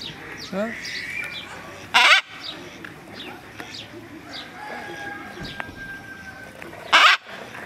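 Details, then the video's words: Green and orange macaw giving two loud, harsh, raspy squawks about five seconds apart, against softer chirps and whistles of other birds in the background. "Green And Orange Macaw Sounds"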